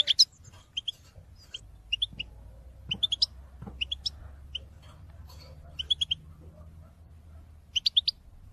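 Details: Goldfinch call song meant to stimulate other caged birds: scattered short twittering notes in small groups of two to four, with quiet gaps and soft background noise.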